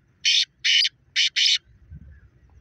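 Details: Pakistani black partridge, or black francolin, giving its call: four grating, buzzy notes in two pairs, each short note followed by a longer one, then low background rumble.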